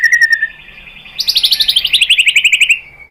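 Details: White-rumped shama song meant to draw other shamas into singing: a short high note series, then a fast rattling trill of about twenty pulses, gradually descending in pitch before fading.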